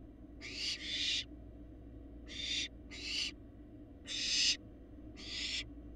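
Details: Large, parent-like barn owl fledglings in a Florida nest, seen on a live cam: six hissing screech bursts, several in quick pairs, harsh and noisy, with steady background hum.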